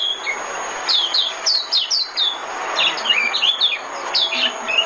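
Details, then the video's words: White-eye song used as a trapping lure: lively, irregular sequence of high, slurred and downslurred chirps, fairly continuous across the recording. "Tiếng chim mồi - Tiếng chim khuyên mồi hay nhất 2017"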